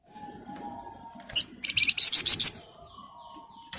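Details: Scarlet minivet delivering a brief ngebren burst: rapid, sharp, rising-pitched pulses packed into under a second, with a faint steady whistle and light background rustling.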